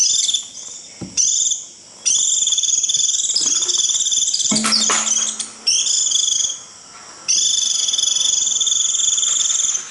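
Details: High, drawn-out 'rít' trills from a white-eye, used to call the flock, come in long buzzy bursts; a brief knock and a low hum interrupt about halfway through.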